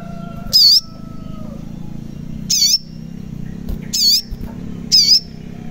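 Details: {'caption': 'High, thin crimson sunbird (sogon) notes meant to provoke lazy or silent birds to sing: four sharp, wavering chirps at irregular intervals of one to two seconds, low hum behind.'}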